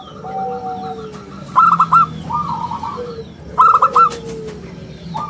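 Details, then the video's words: Local zebra dove in lively song, round and crystal-toned, played as lure and tutor for other doves: two bright bursts of fast pulsed coos two seconds apart, with long sliding lower coos and quieter notes around them. "perkutut lokal gacor suara istimewa buat pancingan dan masteran"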